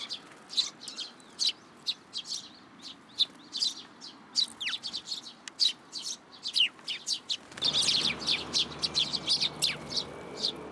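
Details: Sparrows gathering in a plum tree at a Tenmangu shrine for food, 17 June 2022: scattered high chirps and a few downslurred notes, growing busier, with a low hum joining midway.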